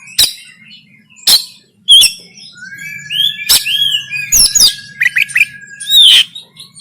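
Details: Oriental magpie-robin in Banten, Indonesia, singing konslet tarung fighting song on a phone recording: loud sharp clicks spaced about a second apart, a long steady whistle, and rapid rising and falling warbled notes.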